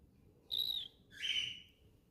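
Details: A baby cockatiel from a breeding pair gives two clear chirps, a steady whistled note and then a buzzier, slightly falling one.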